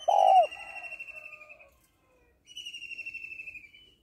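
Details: Female spotted dove calling to stimulate males: one short, loud, low coo at the start, followed by long, high, wavering whistled tones that fall slightly, with a pause between them.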